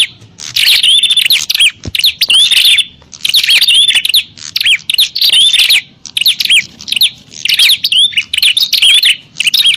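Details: Bar-winged prinias in a noisy fight, used to lure wild birds: long strings of shrill, sharp chirps and rising-falling slurs in dense bursts, broken by brief silences, with a short click near two seconds.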